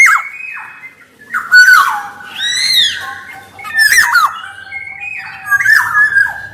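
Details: Black-naped oriole, male and female, as lure song: repeated phrases of a harsh buzzy squawk joined to a liquid downslurred whistle, about four phrases in six seconds.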